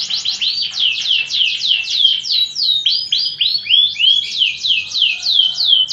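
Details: Fighting canary singing a training song: a fast run of loud descending slurred whistles, about three per second, each sweeping down sharply, forming a continuous bright warble.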